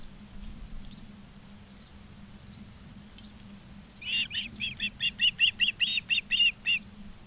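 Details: Ospreys at a nest in Charlo, Montana, on 19 August 2023 around 16:05: after a few faint chirps, a rapid series of about a dozen sharp, high whistled notes, steady low hum underneath.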